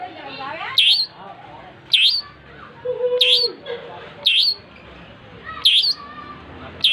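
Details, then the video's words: Six strident, clipped notes, each a quick dip and rise, repeated at just over one-second intervals by a lively long-tailed shrike, with quieter twittering and a low hum in the background. "Suara burung cendet gacor"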